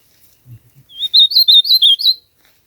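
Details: Ultramarine grosbeak singing in nature: a rapid warbled phrase of about eight sweet, slurred whistled notes lasting about a second, preceded by a few soft low thumps.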